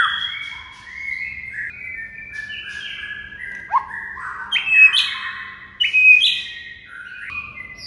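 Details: White-rumped shama master song meant to make a quiet shama respond: a flowing run of varied whistled notes stepping up and down, later broken by loud sharp high-pitched accents, over a faint low background hum.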